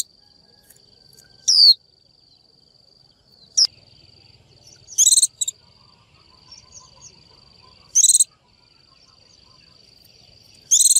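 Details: Female Japanese white-eye calling a male: scattered high calls, some clean downslurred 'chiu' notes and some harsher buzzy bursts, several seconds apart, over a steady thin whine and soft low rustling.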